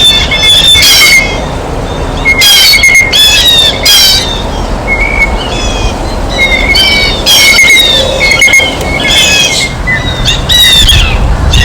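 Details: Blue jays at their feeder give repeated rough, noisy bursts, some quick and clustered, others spaced out. A steady high whistle and low rumbling hum sit underneath.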